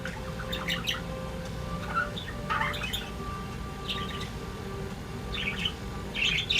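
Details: Two pet budgerigars sing indoors, giving a chattering warble of scattered squeaky chirps and rasping notes in quick bursts over a steady low hum.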